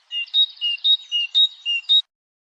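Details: European goldfinch song: clear whistled notes alternating between a lower and a higher pitch, about eight notes evenly spaced over two seconds, ending abruptly.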